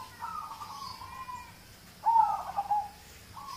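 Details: Local zebra dove song for prompting other birds: a faint drawn-out coo, then a clearer rolling trilled phrase after a short gap, with the start of another note at the end.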